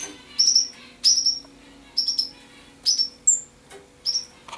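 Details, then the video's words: Common chaffinch song: repeated short bright phrases, each a quick descending burst ending in a flourish, delivered about once per second with brief pauses between. "Pinson des arbres - Common Chaffinch - Amenferiw - شرشور"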